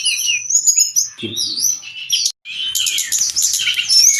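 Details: Brown-chested jungle flycatcher song meant for training cage birds: high thin whistles and swooping slurs, then a short break and a burst of busy, buzzy twittering phrases. A faint low thump sounds in the background.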